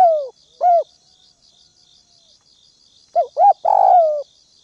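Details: Spotted dove used as a ground decoy, calling to lure wild doves: soft, low cooing notes, a falling coo, then a pause and a quick run of short coos ending in a longer drawn-out note, over a steady high insect trill.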